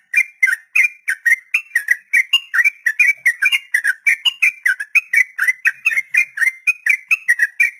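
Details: Sooty-headed bulbul in a long 'ropel' song, a tutor recording for untamed beginner captive birds: a steady stream of short, bubbly whistled notes, about three per second, each dipping and rising, unbroken for eight seconds.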